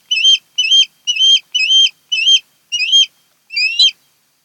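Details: Nesting osprey pair on Kent Island, Maryland, filmed by a nest cam on 08-10-2018: seven shrill, rising whistled chirps in a quick, regular run, the last one slightly drawn out.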